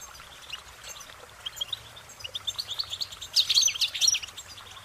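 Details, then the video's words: Goldfinch song, softer and more distant, with a quiet run of twittering notes that builds into a louder burst of high, jangling chirps near the end. "Goldfinch Singing their Song"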